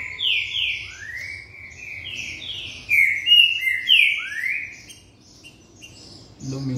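Green-winged saltator delivering a fast run of loud, rich slurred whistles, some rising and some falling, about a dozen notes in five seconds; a voice cuts in at the end.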